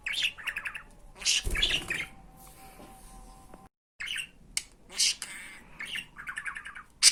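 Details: Budgerigar talk in Turkish from a recording for teaching budgies phrases like "fıstığım"; chattery squawk bursts, a low thud, a brief silent gap, then more scratchy syllables and a sharp final squawk.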